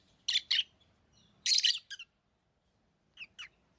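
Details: Harsh, shrill lovebird chirps come in a pair, then a longer grating burst with a short tail, and finally two faint, thinner squeaks after a pause.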